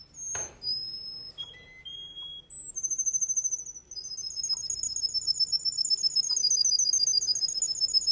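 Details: Male Russian canary singing: a few separate high whistled notes, then long, very high, rapid rolling trills that continue steadily.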